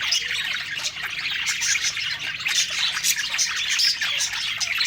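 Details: Budgerigars singing while eating, a lively tangle of chirps, squeaks and short squawky notes from many birds, steady in loudness.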